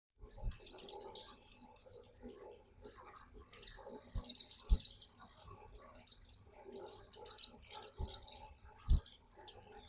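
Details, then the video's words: A white-eye sings energetically: a very high, thin twittering series of rapid chirps, about four per second, held steady for the whole stretch, with faint low thumps beneath. "terapi pleci gacor"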